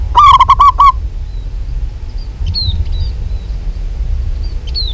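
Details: Local zebra dove calling actively opens with a quick burst of about six short staccato coos, followed by quieter seconds with thin, high, downslurred chirps from other small birds.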